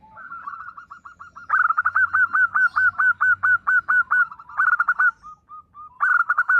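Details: Local zebra dove in full song: a long, fast run of clipped, hooked coo notes repeated about twice a second, rising into louder bursts, with softer coos from other doves behind.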